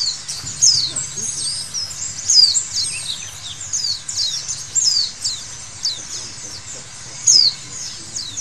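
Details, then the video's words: Busy chorus of white-eyes in a recording for conditioning birds to sing, with bright, thin chirps and sliding whistles tumbling over each other and louder accented notes every few seconds above a soft low drone. "Terapi Pleci Segala Kondisi Bikin Gacor!!!"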